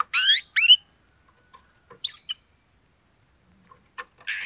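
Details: Combative Oriental magpie-robin song, used to provoke an opponent to fight. Rapid sweeping, slurred chirps come first, then a buzzy descending cluster. Near the end a loud harsh rasp breaks in, with quiet gaps between bursts.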